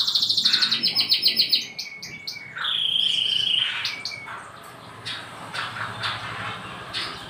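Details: Canary masteran training song for young canaries: a quick pulsed high trill, then a steady whistled note, fading into softer scattered chirps over background hiss.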